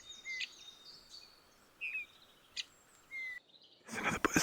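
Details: Eurasian bullfinch calling, three soft, low piping whistles about a second and a half apart, in a forest hide on a mountain in Norway at sunrise, with thin higher notes of other birds and a rustling burst at the end.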